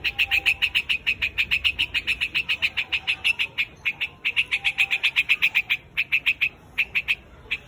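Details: White-headed bird calling its flock: a fast, steady run of short, sharp chipping notes, about three or four per second, with brief gaps near the end.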